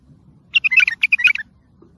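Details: Bulbul song called tayyariyat sihan, played to train and motivate young birds; one quick burst of about ten rich, warbled notes around one second long, with a low hum underneath.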